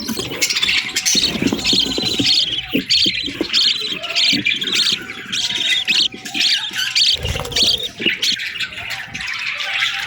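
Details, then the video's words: Parakeets chirping in the morning: dense, overlapping warbled chatter with quick high squeaks and chirps running almost without pause, with a few low thumps and knocks underneath. "Parakeets Chirping Sounds"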